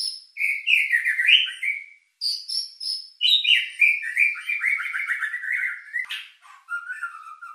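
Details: White-rumped shama lure song used to stir emotion and breeding drive: rich, varied whistled phrases with trills and slurred notes, high ringing notes, a sharp rasp near the end, and a final low warble.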